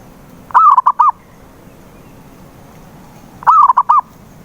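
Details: Zebra dove song meant to coax a silent bird into singing. Two phrases roughly three seconds apart, each a rolling, dipping coo trailed by three short notes, with near silence between.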